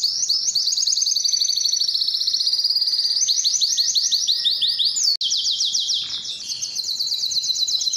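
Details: Belgian canary singing to attract females for breeding: a continuous series of fast high trills changing pace and pitch, a sudden cut near the middle, then another rapid high trill.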